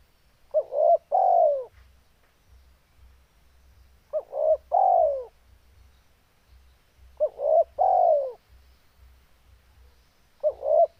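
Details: Vigorously calling spotted dove in breeding condition, three soft cooing phrases at roughly three-and-a-half-second intervals, each a pair of quick hooting notes followed by a longer, falling coo, over faint low hum.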